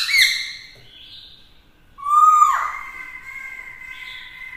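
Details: Black-throated laughingthrush, a female with it, calls out to provoke rivals; a clear opening note, then a loud low whistle dropping into a long sustained tone.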